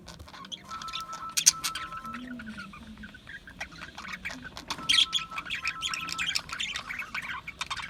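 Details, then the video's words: Australian budgies chirp and chatter: two main bursts of fast, scratchy warbling and sharp squeaks at the start and again midway, quieter twittering between, plus a faint steady tone in the background. "Budgies Chirping Sounds"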